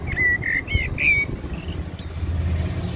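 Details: Eurasian blackbird at Heidelberg Castle sings a quick string of four or five fluted notes, wavering up and down, before fading into low traffic noise.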